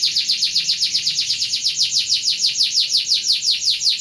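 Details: Canary singing 'ngeroll', a rolling song used for training other birds: a continuous, very fast, high trill of pulsing notes at an even rhythm.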